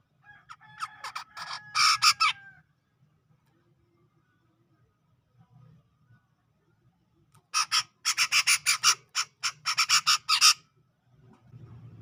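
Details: Black-crested bulbul, a bird from Sumatra's tropical forest near Medan, delivering a short tangled phrase of mixed whistles and harsh notes, a long quiet gap with low hum, then a dense run of rapid repeated rasping notes.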